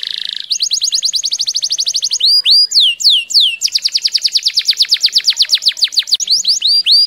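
A canary sings a fast, high rolling trill of rapid repeated notes, breaking into loud swooping whistles before resuming rapid chopped tours.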